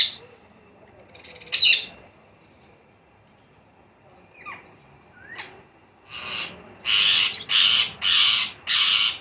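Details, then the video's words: Baby green Indian ringneck parakeets during feeding: a few scattered squeaks and a short whistled note, then a steady series of five loud, broad, hissing rasps about every half second. "Baby Parrots Feed | Chote tote ki khorak"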